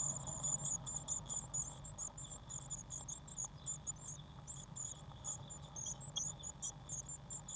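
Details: Growing Eurasian blue tit nestlings in a nest box, 1 June 2016: fairly soft, rapid high-pitched cheeping in irregular clusters over a faint low hum.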